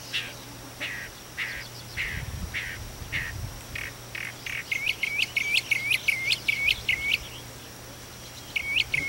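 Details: Mockingbird calling at daybreak from a house chimney, heard indoors down the fireplace; a series of short buzzy notes repeated about twice a second, then a fast run of sharp rising chirps, with a low steady hum.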